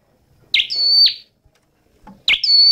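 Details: Red-headed flowerpecker phrases: a sharp high note running into a long, even whistle that falls away at the end, then a second phrase begins, with a faint low chip between them.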